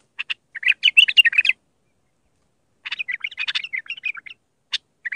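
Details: Mandali-style Iraqi bulbul song used to teach bulbul chicks: quick jumbled phrases of bright chirps and warbles, two main bursts with a brief silence between and a few isolated notes afterwards, no other noise.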